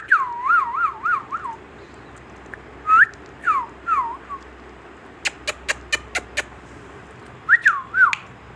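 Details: Pet Indian ringneck parrot giving wavering whistled phrases, several short rising-and-falling whistles in separate bursts, a quick series of sharp clicks midway, then two more looping whistles near the end.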